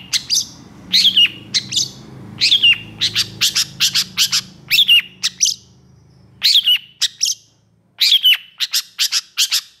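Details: Energetic long-tailed shrike singing in long bursts: clusters of sharp, harsh chips and squeaky notes, each group of three to five, repeated with short pauses between.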